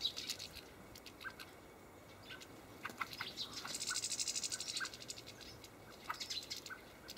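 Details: Several European goldfinches (Carduelis carduelis) at feeders in a Hamburg allotment garden on 5 Feb 2012 at -12°C give bright tinkling twitters and liquid notes in irregular bursts, with a dense chattering spell and light wingbeats.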